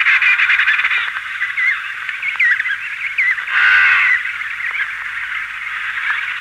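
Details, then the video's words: Calls from an emperor penguin colony of adults and chicks, with wing beating, at Cape C: many overlapping warbling and whistled calls, one loud harmonic trumpeting call rising out of the chorus midway, faint hiss. "Emperor Penguin / Colony MD, Calls From Adults And Chicks With Wing Beating"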